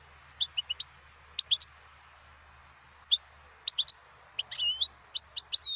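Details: Wild European goldfinch twittering in bright high note clusters, building to a drawn-out buzzy, nasal phrase and further rapid chirps, over a faint low hum.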